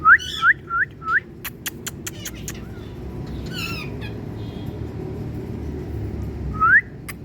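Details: Tiger Indian parrot in sunlight opens with four quick rising whistled notes, then a series of sharp clicks and a brief raspy squawk, with one more rising whistle near the end.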